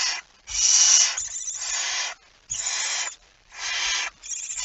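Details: Rasping barn owl hisses just before 2 a.m. on 17 September 2019, with a mouse present. The five noisy bursts are longer, up to about a second, separated by short pauses, with soft knocking sounds underneath.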